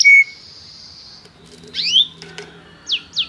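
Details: Canary in song training, calling another canary to sing: a brief pure whistle, a long soft high tone, then a few isolated sweeping notes separated by quiet gaps, with a faint low hum behind.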